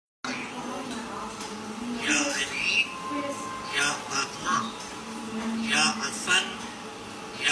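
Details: African grey parrot imitating clearly chanted Quranic recitation (Al-Fatihah, Surah Al-Ikhlas) in speech-like phrases with rising and falling tones and short pauses, against faint room noise.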